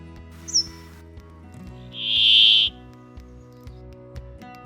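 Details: A Brambling, a winter visitor to Poland, gives a brief high chirp followed by a single drawn-out, nasal, wheezy note lasting under a second, over soft background music.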